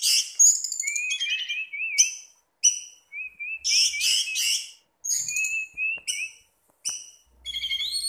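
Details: Orange-headed thrush kept in captivity sings a varied song: rapid high chattering bursts alternating with short wavering whistles and clipped upward notes, delivered in quick phrases with brief gaps.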